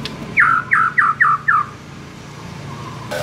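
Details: White-rumped shama recording meant to make caged birds sing aggressively: five harsh, down-slurred notes in quick, even succession, followed by background hum and near silence.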